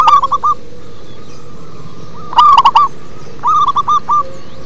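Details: Deep bass-toned song of a local zebra dove: three short bursts of quick hooked coos, the middle one loudest and richest, spaced about one and a half seconds apart at a constant pitch.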